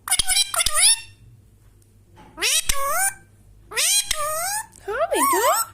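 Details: Indian Ringneck parrot giving natural whistles: harsh, harmonic calls that sweep upward, some in quick pairs with sharp clicks, others bending down then up, in bursts separated by short pauses.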